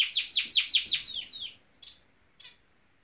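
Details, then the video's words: Norwich canary singing: six quick, bright, downward-sweeping notes repeated in a rapid run over a second and a half, then two faint, isolated chirps after a pause. "the Nowrich Canary singing!"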